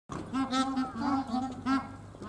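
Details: A bar-headed goose at Tama Zoological Park in Tokyo, Japan, gives a quick run of about five nasal, mid-pitched honks in two seconds, each slightly rising and falling, with faint background noise.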